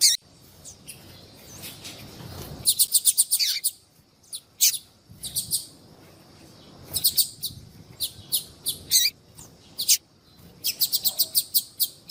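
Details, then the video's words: Female yellow-bellied seedeater calling intensely to attract males. Piercing, very high, clipped notes come in fast clusters of five to eight, separated by isolated chips and short quiet gaps over a soft low hum. "fêmea de papa capim chamando"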